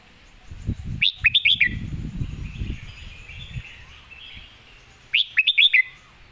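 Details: Red-whiskered bulbul competition bird singing the clear-phrased 'phleng mae bot' master song. Two crisp phrases of five rapid whistled notes arrive four seconds apart. Low rumbling noise is heard between them, and faint bird chatter continues in the background.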